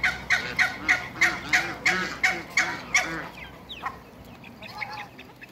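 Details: Two pairs of African geese kept with Muscovy ducks in a backyard; a rapid run of loud, harsh, nasal honks, about three each second, fades into quieter scattered calls near the end.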